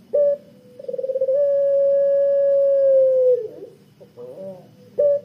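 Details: Barbary dove of the pelung type, kept as a lure for other doves, giving a thick, long 'kwook' coo: a brief stuttering onset, then a steady mid-pitched tone held about two seconds before dropping, with short coos at either end.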